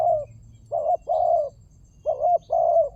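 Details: ['Spotted dove used as a lure call: low, hollow cooing phrases of two to three notes, repeated several times over three seconds, with a faint low hum underneath.']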